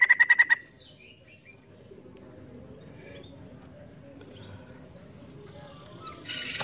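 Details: A female White-crested laughingthrush gives a quick burst of five harsh, ringing chirps. Faint distant chirps follow over a low background hum, and there is a louder rasp at the end.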